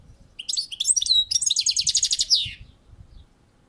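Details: Balcony recording of a European goldfinch song: liquid twittering notes run into a fast, regular, metallic trill of about fifteen pulses, fading at the end, with faint low background knocking.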